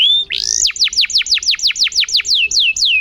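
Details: Canary, a lively singing cage bird, recorded as training song for other canaries: a high whistle, then a fast run of loud, sharply falling swept notes repeated about twice a second.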